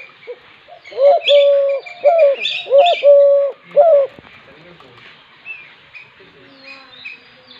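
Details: Repeated low dove coos, about five in a row roughly every second, each with a brief higher lead-in, while small birds chirp faintly behind; the cooing fades after four seconds.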